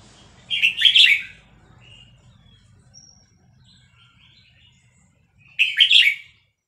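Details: Red-whiskered bulbul from Vietnam, aroused by a chick recording, sings fast-linked phrases: two loud rich warbled bursts about five seconds apart separated by faint scattered notes.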